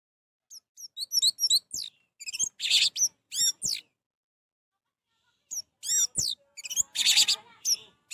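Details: An orange-headed thrush sings to provoke another bird that will not sing: two long bursts of rich, varied phrases with looping whistles, harsh chattering and quick slurred notes, separated by a pause of nearly two seconds.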